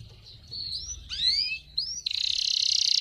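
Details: Excited male canary song used for training young birds and stimulating females: rising slurred whistles and sweeping notes, followed by a fast, dense buzzing trill to the end.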